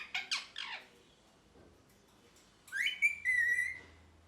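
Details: Happy pet parrot calling: three quick harsh chattering notes, a silent gap, then a loud rising whistle flattening into a drawn-out wavering squawk; low steady hum beneath.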